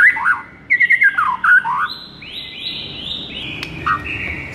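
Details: White-rumped shama master song for rousing listless birds: warbled, looping whistles and a quick run of repeated notes, followed by long, drawn-out pure tones at several pitches against continuous background hiss.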